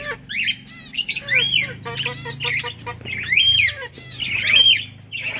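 Rosy-faced lovebirds chattering with shrill, harsh squawks and sharp chirps, overlapping in quick irregular bursts about once a second, with high arched screeches standing out.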